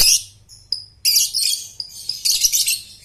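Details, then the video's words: Dense, continuous high buzzy chattering from a lovebird learning ngekek, with a brief whistled note near the start; a low rumbling hum runs below. "pancingan Lovebird Balibu/paud prospek"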